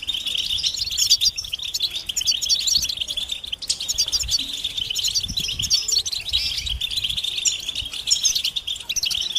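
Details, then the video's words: European goldfinch giving mating and readiness calls that stir males out of silence: busy, high-pitched twitter of rapid chirps, metallic trills and repeated clipped notes, continuous throughout with a faint low rumble beneath. "بتبتة الحسون علاج سكوت الحسون نذاءات التزاوج والتجهيز"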